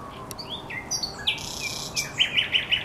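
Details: Thrush nightingale singing at the Żerań Canal on 24 April 2022: scattered high whistles and slurred notes, a brief buzzy burst, then a run of four loud, evenly spaced chopping notes to finish.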